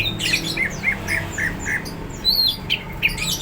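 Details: Greater green leafbird singing energetically, described as ready to fight: a run of short squawky chirped notes, then a few higher sharp whistled slurs, with low hum underneath.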